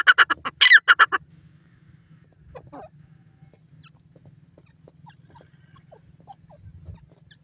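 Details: A grey francolin gives a short, loud run of rapid, harsh repeated notes in the first second, then falls silent, leaving a low steady hum and faint scattered chirps from other birds.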